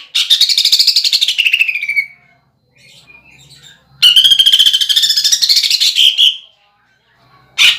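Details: Greater green leafbird singing harsh, rolling mimicked phrases of woodpecker, kingfisher and sparrows in a caged lure song. Two long, rough, rapidly pulsed bouts each slide downward, with a brief quiet gap between them.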